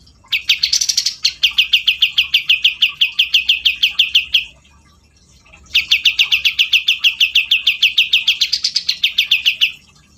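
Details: Grey-cheeked bulbul in lively song: two long bursts of rapid, evenly spaced bright chirps, each lasting about four seconds, separated by a short silent pause, with a few higher notes mixed in.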